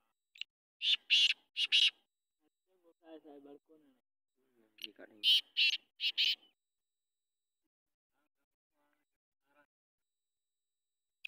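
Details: Free-roaming black francolin calling in two bursts of harsh, raspy, clipped notes a few seconds apart, with a low human voice murmuring between the bursts, then silence.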